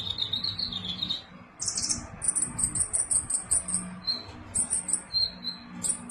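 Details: Lively sunbird song delivered in quick high bursts: a wavering thin whistle, then sharp buzzy chips and rapid twittering notes repeated in a fast uneven rhythm, with faint low-pitched background hum throughout.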